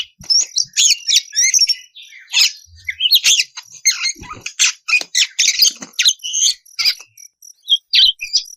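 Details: Lure song of an oriental magpie-robin in ngeplong style, played to prompt other magpie-robins to sing back: dense, high, scratchy phrases mixing clear whistled notes, buzzy rasps and quick chatter, in bursts separated by short gaps.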